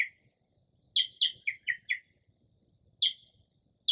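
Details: Mockingbird singing outside a home near midnight in early spring, imitating various birds; a brief burst of five quick bright chirps, then isolated single notes after a pause, in a still night.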